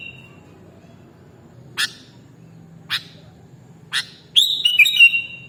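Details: Sooty-headed bulbul (kutilang) song recorded as a mastering track. A short whistle tail opens the clip, then three spaced sharp clicks about a second apart, ending in a rich gurgling whistled burst.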